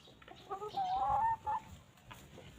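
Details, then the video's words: Free-range chickens roaming a peaceful farm, pecking and grazing on fresh grass; a drawn-out, slightly rising hen vocalization near the middle, preceded by short soft clucks, with quiet background noise. "Chickens Pecking and Clucking"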